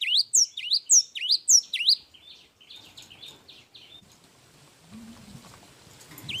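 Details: Long energetic song of a Java sparrow: about two seconds of loud rising chirps in quick succession, then fading buzzy notes over a background of soft rustling and a low hum.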